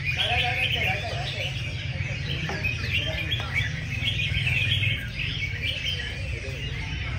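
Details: Red-whiskered bulbuls singing in a competition round among many enthusiasts: quick repeated chirps and short warbling phrases overlap from several birds, with some murmured talk and a deep rumble beneath.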